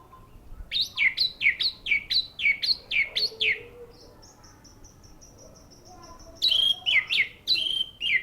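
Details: Orange-headed thrush singing: a fast run of about a dozen loud, high, sweeping whistled notes, a thin steady high-pitched tone, then another burst of strong swooping phrases.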